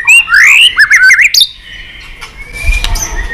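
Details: White-rumped shama in excited singing: a bright rising whistle followed by quick zigzag warbles, then a thin, sustained whistle over faint low background noise.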